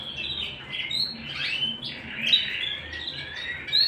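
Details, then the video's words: Canary singing indoors, an irregular mix of buzzy trills, sharp high chips and short whistled slides, rising and falling in loudness. "canary bird - canary singing - canary sounds - canary singing at home - beautiful canary birds"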